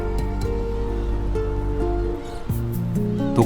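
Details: Sustained orchestral music tones over a soft wash of surf, with no animal calls heard.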